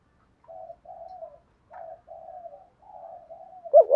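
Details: Morning calling of a spotted dove meant to provoke rivals: a run of soft, low, even coos in short level phrases, ending in a sudden louder burst.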